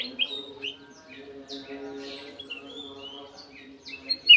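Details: Golden-fronted leafbird in an aviary with a quiet run of short whistled and slurred notes, closing in a sharp loud whistle; low steady hum throughout.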